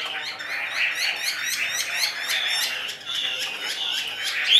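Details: Caged Chinese hwamei: a fast series of short, sharply rising and falling notes repeated several times a second over a rough, scratchy background chatter, ending in a bright high note.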